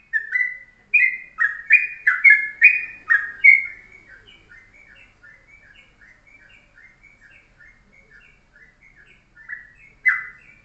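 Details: Yellow-vented bulbul giving a short, dense ropelan master song in the morning for tutoring birds: a burst of loud, bubbly whistled notes, then a long run of soft twittering chips, and a final loud note.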